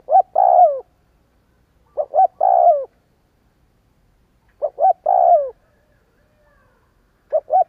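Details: Spotted dove cooing used as a decoy-stimulating lure. Three full phrases and the start of a fourth come at uneven intervals of two to three seconds, each a pair of short coos before a drawn-out falling one, in near silence.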